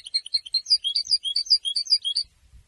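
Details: European goldfinch pouring out a bright, rapid twitter of high, ringing notes in a bouncing pattern for over two seconds, ending abruptly, with faint low thumps afterward.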